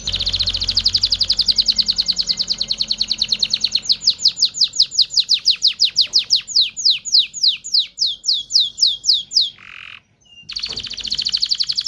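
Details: Canary song to arouse males and females for mating: a buzzy rolling trill slows into a clear run of high downslurred notes, then a short pause and renewed fast trilling, with low background hum.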